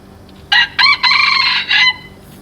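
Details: A Red Junglefowl rooster, a 7-month-old fighting-breed cock, crows once on 17 November 2024: a quick clipped opening note, then a harsh, ringing phrase that holds steady and cuts off sharply, under two seconds in all.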